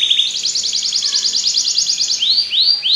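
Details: Belgian canary song: a high, rapid trill of clipped notes for about two seconds, then three arched, descending whistles.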